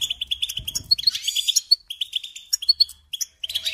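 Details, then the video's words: Goldfinch tutor song for teaching young songbirds: a run of evenly spaced, clipped chirps, then a rich buzzy trill and liquid twittering phrases broken by brief gaps. "Teaching Singing Lessons Through Goldfinch Motives"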